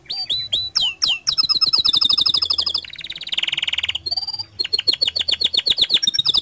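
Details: Singing canary, played to spur other canaries into song: opening slurred whistles, then long rapid rattling trills, a dense buzzy roll in the middle, and quick repeated notes to close.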